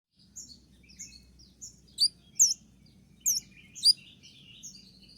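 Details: Konin song in the 'tembakan' style, used as a master recording to train and excite caged birds: high whistled notes and sharp down-up slurs, loosely spaced, over a steady low hum.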